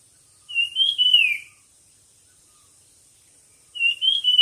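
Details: A competing songbird delivers a clear warbled whistle that lifts and then falls. A second phrase begins after a pause of about two seconds.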